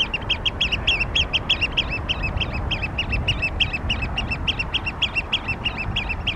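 Eurasian Oystercatchers pipe loudly in a flock: shrill, sharp 'kleep' notes at about three per second, overlapping, over a steady low rumble of wind or surf.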